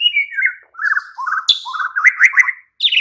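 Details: White-rumped shama night song used as a lure to get another bird to answer and sing boldly: a run of clear, slurred whistled phrases, falling then rising, with a sharp click and a brief gap before a final high note.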